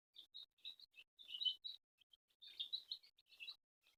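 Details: Chicks being fed by a mother hen indoors at home, with quick high cheeps in irregular runs and a short pause mid-way.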